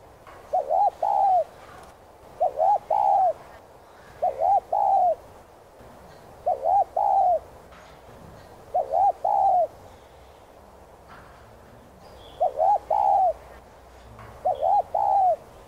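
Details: Spotted dove cooing in the gù 2 style with a hạp voice, meant to stir newly caught doves into singing: rhythmic two-part coos, a short stuttered note then a longer arched one, repeated every two to three seconds over faint background hiss.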